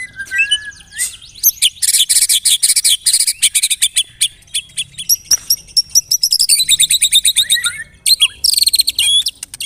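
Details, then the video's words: White-rumped shama lure song (pancingan) used to prompt other murai batu to sing: dense, high, rapid trills and buzzy chatter, with sliding whistles in between and brief pauses before bursts of sharp repeated notes. "LANGSUNG CEPAT NYAMBER TAK TAHAN DIAM MURAI MENDENGAR PANCINGAN INI"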